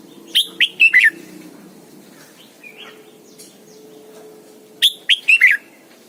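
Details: Morning song from a caged decoy red-whiskered bulbul being trained in the double-note wild style: two loud whistled phrases of four to five quick notes, about four seconds apart, with faint chirps and a low steady hum between.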